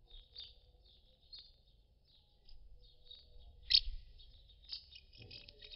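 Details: Common house martins settling to roost at their nests, some swapping between nests, give soft, dry twittering chirps, high-pitched and scattered in short bursts about once a second, over a faint low rumble.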